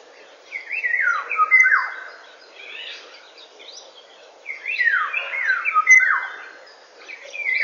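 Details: Eurasian golden oriole in full morning song at 08:15 on 19 May 2013: two rich, fluty whistled phrases of sliding, falling notes, about four seconds apart, with quiet pauses between.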